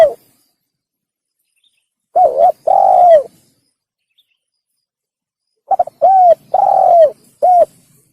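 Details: Spotted dove call used as a hunting lure: low hollow coos, a pair of notes then a quicker group of four with the last held longer, separated by several seconds of silence.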